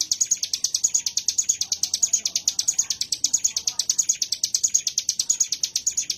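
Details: Mountain prinia, known locally as ciblek gunung, delivers a bren song of quick, evenly spaced high chipping notes running without pause.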